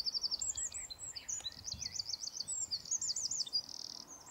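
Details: Eurasian wren song, very high and fast: repeated trills, looping whistled notes and a buzzy rattle at the end, rattled off in a continuous stream.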